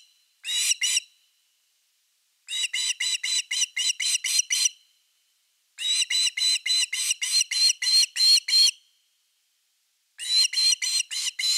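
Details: Camera at osprey nest #3 on 30 August 2021, evening fish delivery: repeated bursts of rapid, clipped whistles, each burst lasting about two or three seconds, with quiet gaps between them.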